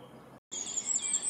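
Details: Firecrest singing at Verdelais in spring 2021: a very high, thin, faint series of notes rising slightly and running on after a short break, with a lower thin note beneath and quiet rural background.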